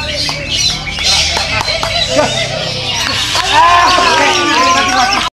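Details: A greater green leafbird sings a busy, varied stream of sweeping whistles and chattering notes, with a man's voice, clapping and faint music behind.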